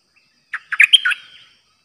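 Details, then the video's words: Caged Streak-eared bulbul used as a new decoy, 06/05/2022, singing only 'dok' phrases; here one cheerful burst of five warbled, slurred notes, rising to a bright high note and tailing off softly. "เสียงนกดอกแตงEp.106นกต่อใหม่ เจ้าขันเงิน เปิดดอกล้วนๆ Birds sounds suara merbah lekir"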